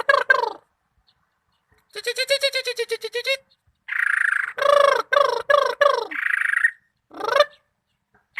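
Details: Greater green leafbird from Malinau delivering separate bursts of song with silent gaps: a rapid series of rising, ringing notes, sustained buzzy tones, and loud downslurred whistles, each burst lasting about one to two seconds.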